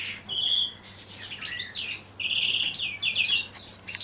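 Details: Common chaffinch courtship in captivity, 2023 season, with two hens sharing one cock; clear high chirps and short whistled phrases, some bright sustained notes, delivered in lively bursts.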